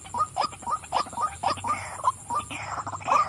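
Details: Female white-breasted waterhen giving rapid, uneven nasal croaks, roughly a dozen in just over three seconds, some notes doubled and a few ending in a rising squeak.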